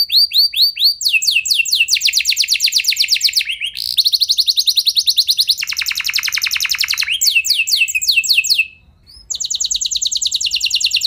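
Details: Canary singing long rolls meant to stimulate other canaries; successive trills of different speeds and pitches, some buzzy and deep, separated by short breaks, with one half-second silence near the end.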